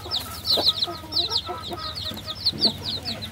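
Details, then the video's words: Baby chickens giving clear, high down-slurred peeps in small clusters, several chicks calling at once over a low hum. "30 minutes of cute baby chickens"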